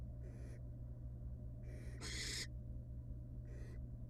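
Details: Wild barn owl at a monitored nest box, returning to her young after regurgitating a pellet; four short harsh, breathy hissing bursts, the loudest near the middle, over a steady low hum.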